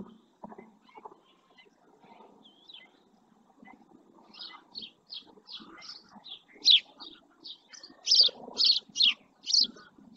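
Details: House sparrow, an adult male resting beside a live camera at the El Rocío marshes, Doñana National Park, Spain; low murmuring background for four seconds, then a run of short bright chirps, growing louder and more spaced toward the end.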